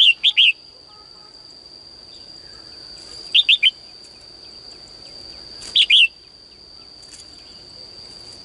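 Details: Caged female bird singing in the morning to urge males to sing more. Short clusters of two or three bright chirps recur roughly every three seconds, with faint rustling and a steady high-pitched tone.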